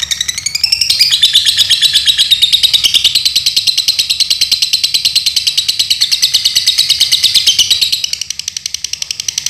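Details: Lovebird from Paduraksa, Pemalang, Central Java, Indonesia, singing a loud, extended rattling trill of high notes that climbs at the start, holds steady for several seconds, then softens near the end.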